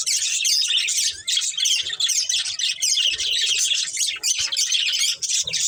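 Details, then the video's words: Budgerigar breeding pair and their family, pets: constant dense chirping and warbling chatter, overlapping squeaks and trills with a few short dips. "Beautiful Budgies Chirping Sounds | Love Birds Breeding Pair | Budgies Family"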